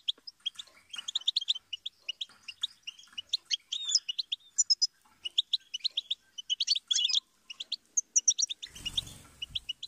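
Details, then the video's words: Goldfinch in long continuous song, a bright stream of rapid high chirps, trills and twitters, with a brief burst of broadband noise near the end. "inspiring Goldfinch Chirps And Sing"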